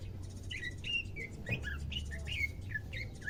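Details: Pet greater green leafbird in its second day of care, beginning to sing; a quick run of varied whistled and slurred chirps, rising and falling notes strung together without pause, low hum beneath.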